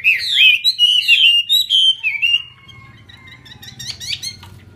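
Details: Chinese hwamei in full 'hót xòe' song with an eagle-wing display. Loud, clear whistled slurs tumble quickly for about two seconds, then fade into softer, thinner high notes and faint chirps.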